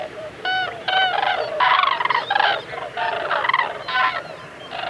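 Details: Common cranes calling in a group in Tierra de Campos, Zamora, Spain, loud trumpeting, rolling bugles overlapping in bursts of about half a second to a second.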